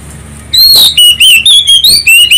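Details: Loud Oriental magpie-robin song used to stimulate other birds to sing, beginning after a brief quiet moment with a fast series of bright, ringing whistles, some rising, some falling, around five per second.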